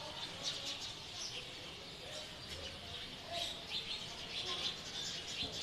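Several birds chirp in high, thin bursts against a steady outdoor hiss at dusk.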